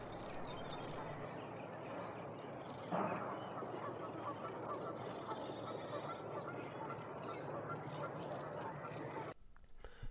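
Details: Long-tailed tit (Aegithalos caudatus), restless birds giving contact calls: very high, thin calls often in quick threes, over a steady background hiss with a brief lower rustle.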